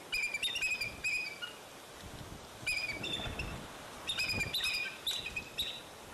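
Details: Bald eagle at Fraser Point, 04-10-2019, around eaglets falling from the nest and coming back. Two bursts of rapid, high, chittering whistled notes, each a quick descending series, separated by a quiet pause with background rumble.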